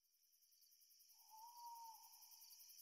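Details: Owl hooting at night as a full moon rises: one steady, mid-pitched hoot lasting about a second, faint and set against a continuous high, shimmering chorus of crickets.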